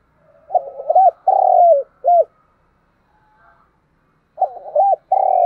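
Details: Spotted dove cooing in the 'thúc gù' style. A stuttered lead-in runs into a long level coo and a short final note, then there is a pause of about two seconds before the phrase begins again. The background is quiet.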